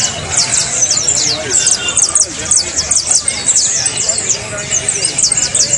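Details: Saffron finch song used to train cage birds to sing: dense, continuous stream of very high, rapid chirped and slurred notes, closely packed and overlapping, with faint lower warbles underneath.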